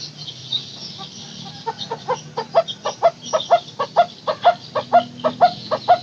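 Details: Takur teguk teguk barbet used as a lure for silent barbets: hollow repeated tuk notes building in loudness to a steady pace of about two per second, with high insect trilling behind.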